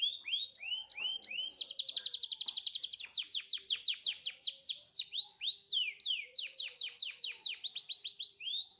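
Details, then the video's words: Canary, a 'gacor' bird that sings continuously, singing tutor song for canaries that rarely sing. It pours out rapid rolling trills of bright whistled notes, shifting between fast buzzy runs and slower looping phrases with no pause throughout. "Suara Masteran Kenari Gacor Cocok Buat Burung Kenari Yang Susah Bunyi."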